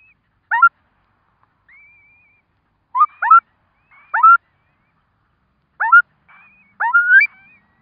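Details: Curlew at its nest as four chicks hatch, giving clipped upswept double yelps roughly every second or more, interspersed with faint thin high piping whistles in a quiet setting.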